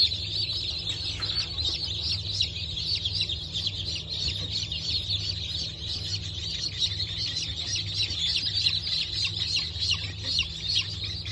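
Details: A crowd of newly hatched Brahma and Wyandotte chicks, hatch of 19 October 2024, producing a continuous blurred wash of thin high peeps at fairly even loudness, with a steady low hum underneath.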